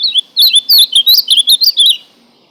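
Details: Ultramarine grosbeak (azulão) singing a quick warbled phrase of roughly ten sweet, slurred whistled notes, rising and falling, run together over about a second and a half, ending abruptly in near silence.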